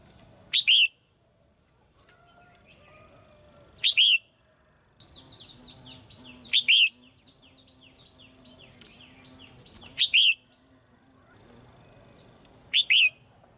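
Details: Caged female red-whiskered bulbul, singing so young birds will sing more, gives short loud whistled phrases every few seconds, while another bird adds a run of rapid, quieter chattering notes in the middle.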